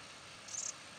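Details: Male glittering-bellied emerald hummingbird scratching its plumage in Itatiba, São Paulo, Brazil, 15 June 2016 at 09:12, gives one quick, very high, thin chittering burst of a few rapid notes over a faint steady hiss.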